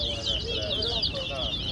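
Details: Towa-towa (chestnut-bellied seed finch) singing in a head-to-head bird competition at Guyana National Stadium; rapid, dense high twittering warbles with quick up-and-down slurred notes, a low steady hum underneath and a voice counting aloud.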